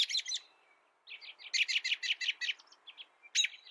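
A European robin sings high, thin phrases: a short burst, a pause, then a quick run of about a dozen sharp, twittering notes and a final bright flourish.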